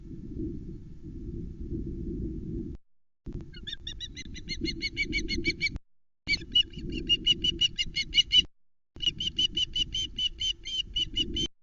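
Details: Female osprey at the Loch Arkaig nest on 1 September 2020, calling from off camera as the male brings a live flatfish, recorded by nest cam. Bursts of rapid, high, thin chirps repeat in runs over a steady low wind rumble.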